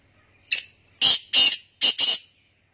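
A black francolin gives a loud, harsh, grating phrase of five rasping notes: a single note, then two quick pairs, over about two seconds in quiet surroundings.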